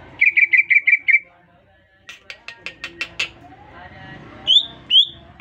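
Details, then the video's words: Greater green leafbird, newly purchased and kept in a cage, chattering after being whistled at: a quick run of bright chirps, then a scatter of clicks and ticks, ending in two upward whistles. "Cucak Ijo Gacor baru beli kena siul langsung ngoceh"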